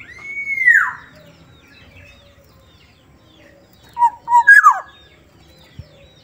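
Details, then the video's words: A Black-naped Oriole of the Sumbawa form, with a soft voice, gives a loud, mellow whistle sliding downward, then after a pause a short phrase of fluty notes ending in a rising-falling slur. "kepodang sumbawa suaranya Lembut"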